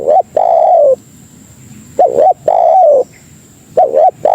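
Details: Spotted dove calling as a lure to bring other doves: mellow coo phrases, each a clipped doubled note then a sustained, gently descending coo, repeated about every two seconds in quiet surroundings.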